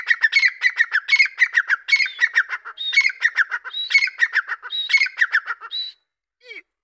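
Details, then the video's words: Grey francolin calling: loud, harsh, squawky notes in a fast rhythmic series of about one per second. Each note is ringing and slightly descending, and the run breaks off near the end with a brief lower note. "دکنی تیترکی آواز"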